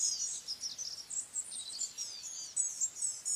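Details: Blue-gray gnatcatcher singing a thin, high, squeaky warble of rapid jumbled notes that runs on without a break, over faint background hiss.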